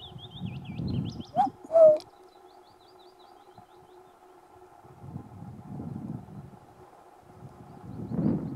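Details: A male common cuckoo recorded on Islay, Scotland, in June 2021 gives a single two-note cu-coo, falling in pitch, after a brief high warble from a small bird, with low rumbling wind noise throughout.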